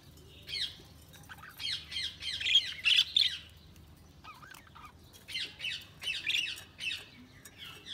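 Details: Budgies chirp in short squawky phrases, several quick notes in a row, then a brief pause, then another run of scratchy high chirps at an uneven pace.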